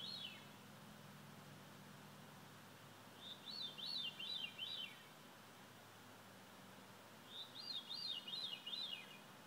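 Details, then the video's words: Veery at sunset sings breathy, ringing, spiraling phrases cascading downward in pitch, each about a second and a half long, repeated every three to four seconds over a faint low hum. "Veery thrush"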